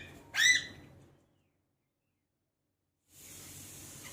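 An Alexandrine parakeet gives one loud, harsh, rasping utterance lasting about half a second, then falls silent before a steady background hiss.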